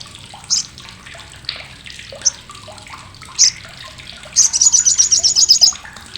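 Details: After scattered quiet chirps and short high squeaks, an olive-backed sunbird bursts into a loud, piercing rattle of rapid pulses for over a second. This coarse chatter is used to train contest songbirds.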